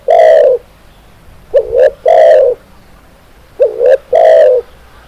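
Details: Loud, close spotted dove song: a long hoarse coo, then a brief doubled rising note and another long coo, the pattern repeating in steady phrases with short silences between.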